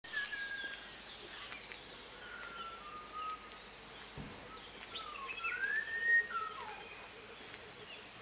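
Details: Unidentified bird heard at five in the morning near a small hotel in Munnar, India: faint, drawn-out whistled notes around mid pitch, some level, some gliding up then dropping, irregularly spaced over steady background noise.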